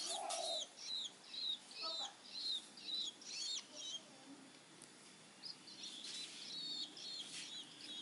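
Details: Long-tailed shrike chick aged about three weeks, begging while hand-fed crickets; a fast series of scratchy, buzzy chirps, then a short lull, then more loose rasping calls. A low mellow note opens the sequence.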